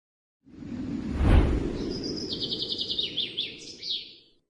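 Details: Ara Mata Merah, a rare bird endemic to East Nusa Tenggara, with a varied song: a high, rapid trill of repeated notes sliding up and down, over a loud low rumbling background noise.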